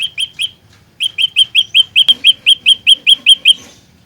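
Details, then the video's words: Fighter-style olive-backed tailorbird, a chattering trapping lure: three bright chirps, a brief pause, then about fifteen rapid repeated notes, with a sharp click in the middle of the run. "Burung Prenjak Lumut Pikat Gacor Fighter"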